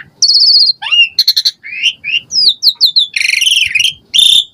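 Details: Asian pied starling in full, constant song rich in varied fill-in phrases, used as a lure to prompt caged birds to sing: a long high whistled note, then rapid rattles, short rising and falling whistles, and a buzzy burst.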